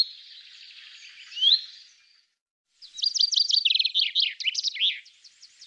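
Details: Common chaffinch (Fringilla coelebs) singing over faint background hiss: a brief rising note, a pause, then a rattling descending trill of quick notes ending in a short flourish.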